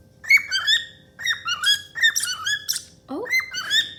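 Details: Happy pet cockatiel singing indoors: clear whistled notes, some sliding upward and some dropping, in quick phrases, with a lower slurred whistle near the end and a faint room hum.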